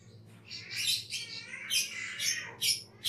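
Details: Cucak keling, a caged bird in a master recording for training other birds, produces harsh, buzzy, high squeaky phrases in uneven bursts over a low background hum.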